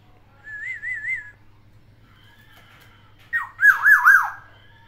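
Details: Captive Black-naped oriole singing borrowed songs of other birds at home: a soft wavering whistle with three undulations, then a louder, harsher phrase of three swooping, rising-and-falling notes over a steady low hum.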